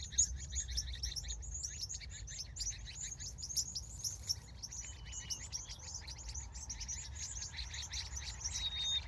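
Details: At sunset in California, a continuous chorus of many small birds pours out rapid, high-pitched tweets without pause, backed by soft low background noise.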